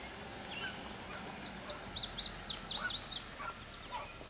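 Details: Young barn swallow recorded on 29 June 2012 at a nature center in Racine, Wisconsin, giving a quick run of sharp, high chirps in the middle, with fainter scattered notes and constant environmental noise.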